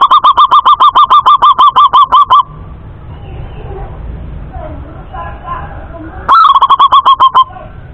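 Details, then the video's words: A male local zebra dove (perkutut) in Indonesia gives a fast run of clipped, cooing notes, about six a second, pauses amid faint background murmurs, then starts another short burst. "Suara Perkutut Lokal Jantan Jernih"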